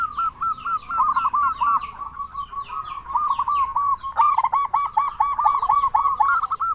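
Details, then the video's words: Big-voiced local zebra dove calling constantly to draw answers from other zebra doves: an unbroken stream of fast, rolling, staccato coos, growing louder and denser in the second half. "Perkutut Lokal Gacor SUARA BESAR Ahlinya Bikin Semua Burung Perkutut Langsung Nyaut"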